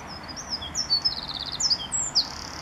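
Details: Several Eurasian wrens singing on a morning at RSPB Saltholme, 1 April 2014, recorded on a Canon SX50 HS camera: a brief run of very high, sharp notes and quick trilled fragments over a steady background hiss.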